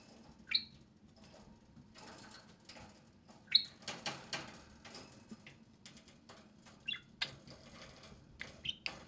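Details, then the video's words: Two pet budgerigars playing and talking during time outside their cage: short, sharp, high chirps come every few seconds, mixed with soft clicks, scratches and rustling. "Two social parakeets (budgerigars) play and speak"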